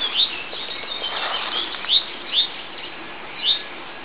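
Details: Rock bunting at the edge of a riverside grove bordering wooded farmland gives four thin, high, sharp 'tsi' notes at irregular intervals over about four seconds, with faint background hiss.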